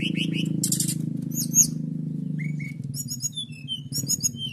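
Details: Canary in the 'nembak' singing style used to provoke other birds: high buzzy trills and rising whistles, then a series of clear tonal notes and rapid chatter, partly over a loud low mechanical hum.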